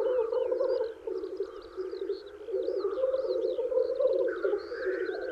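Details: Male black grouse lekking in spring to woo females: a continuous low bubbling, cooing chorus of rolling rookoo phrases, with thin whistled songbird notes above.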